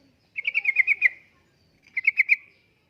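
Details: Sooty-headed bulbul, singing in the 'gacor' style used to lure and tutor caged birds: a quick string of about seven clear, slightly descending notes, then a shorter run of four after a pause.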